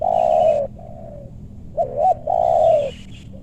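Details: Spotted dove being lured in a meranti wood in West Bogor, Indonesia, where big-voiced birds are sought; a long strong coo, a softer falling note, a quick wavering double note, then another drawn-out coo.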